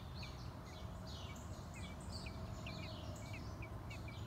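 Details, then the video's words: Mother bird feeding newly hatched chicks in a clay nest box: thin, high chirps in quick downward flicks, several per second throughout, over a steady low rumbling background noise. "Mother bird feeding babies"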